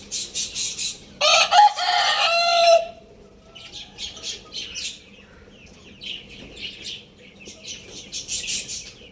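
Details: Lohmann Brown rooster crowing: a loud, hoarse, harsh crow of about one and a half seconds. It is surrounded by bursts of high, rapid chirping from small caged birds.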